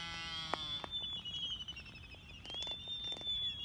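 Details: Black-footed albatross, a parent with its chick: a thin, high whistled whine held steady for several seconds, opening with a brief harsh squawk and broken by scattered sharp clicks.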